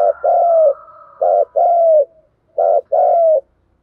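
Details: Spotted dove giving its luring call (thúc gù): low, hoarse coos in pairs, a short note followed by a longer one that slides gently downward, three pairs in under four seconds on a quiet background.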